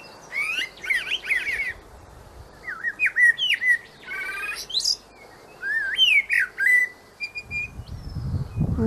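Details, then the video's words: Common blackbird (Turdus merula) singing: varied, fluty whistled phrases with rapid squeaky flourishes in three bursts separated by short pauses, ending in a low rumbling noise. "Mirlo común - Canto"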